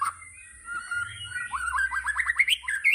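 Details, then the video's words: White-rumped shama singing in the 'tembakan' (rapid-fire) style: a long low whistle, then a fast run of rising, hooked notes repeated about twice a second, ending in a high upswept whistle. "Tembakan Murai Batu Yang Membuat Kita Tidak Bosan Menontonnya Berkali-kali || WHITE RUMPED SHAMA"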